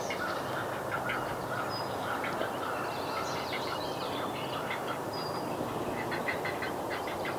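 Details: Great blue heron nestlings in north-central Massachusetts, USA, beg as parents return to the nest with fish: a harsh, rapid clattering chatter, a steady din of rough notes broken by higher squeaky bursts.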